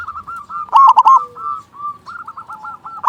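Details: Local zebra dove singing loudly, used as a lure to get other doves cooing: soft rolling trilled coos near one pitch, a louder burst of stuttered notes, then more rapid rolling trills.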